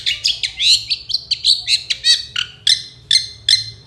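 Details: Long-tailed shrike in full gacor song, recorded as a 2024 master for training songbirds: a tumbling series of high, scratchy chirps and slurred notes that slows into evenly spaced sharp calls about every half second, over a low hum.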